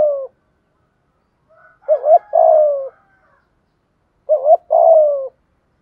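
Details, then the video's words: Spotted dove giving a lure coo in the thúc gù style, used to attract wild doves: low, mellow cooing phrases, each a short double note followed by a longer falling coo, repeated after quiet gaps. "chim cu gay thuc gu"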